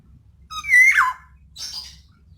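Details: Female black-naped oriole lure call meant to provoke lazy males into singing: one loud, nasal, harmonic-rich note that swoops down, followed by a softer raspy note.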